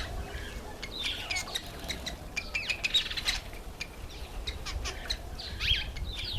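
Cape weavers give a busy mix of harsh chattering, buzzy swizzling notes and short chirps, with several birds calling over low background rumble.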